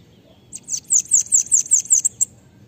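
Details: A bananaquit giving 'pega pega' song for training other birds: roughly nine piercing, high, slurred notes delivered in a rapid steady series lasting under two seconds, against near silence.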